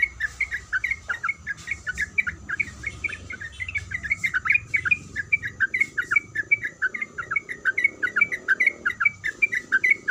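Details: Sooty-headed bulbul female calling to a male: dense, rapid chattering of bright twittering notes running continuously for ten seconds, with a soft broadband background hiss.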